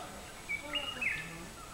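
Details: Asian fairy-bluebird giving a few short, faint whistled notes in quick succession, one briefly rising then falling, over a steady background hiss.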